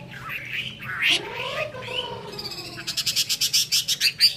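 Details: Chinese hwamei in 'hót xòe' singing style, spreading its wings eagle-fashion; a few slurred, falling notes, then a fast run of sharp repeated pulses at the end.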